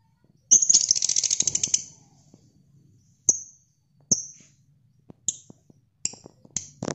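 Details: Lovebird ngekek chatter at midday: a fast, high, buzzy burst of rapidly pulsed notes lasting over a second, then scattered sharp short chips and clicks over a quiet background.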